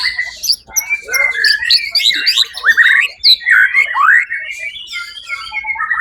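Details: Competition white-rumped shama, first-place winner at Suara Agung contest on 1 October 2023, delivering loud varied song: long rising and falling whistles mixed with rapid buzzy trills and sharp chips, nearly continuous, other contest birds audible.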